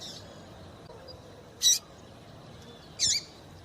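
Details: A female Double-collared Seedeater gives short, high, sharp chips about a second and a half apart over a faint steady hiss; the call is played to stimulate males to sing.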